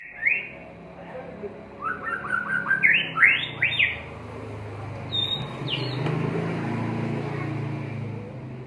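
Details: Caged white-rumped shama kept on a terrace, singing rapid runs of bright whistled notes sweeping upward, then a few clear higher whistles, over low background hum.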